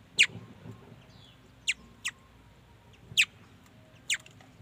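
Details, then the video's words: Mi dat bird song: short, sharp, high notes sweeping downward, given singly about every one to one and a half seconds, four notes in all, over a faint low hum. "Tiếng chim mi đất hót chuẩn"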